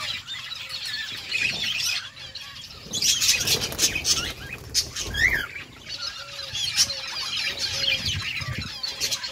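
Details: Pet budgies chattering with happy high squeaks and warbling notes, interrupted by bursts of wing flapping and fluttering in the middle, with soft low chirps in the background.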